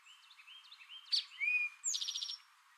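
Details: Singing male Eastern towhee delivers the "drink your tea" pattern: a short sharp note, a sustained whistled tone, then a bright rapid trill of about eight pulses. Quiet twittering from other birds sits in the background.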